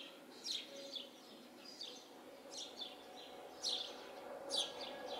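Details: House sparrows in a yard tree, with scattered short high chirps about once a second, some louder than others, against a noisy background.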